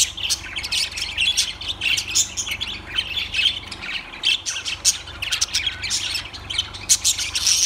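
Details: Lovebirds chattering without pause: dense, shrill squawks and sharp chirps packed tightly together, high-pitched and buzzy, with a faint steady low hum underneath.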